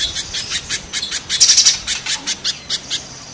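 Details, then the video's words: Spiderhunter, compared as mountain and banana spiderhunter types, delivering a harsh song. Shrill high chips come about four a second, with a short buzzy flurry near the middle. "Raja kasarnya kolibri pijantung gunung vs pijantung pisang"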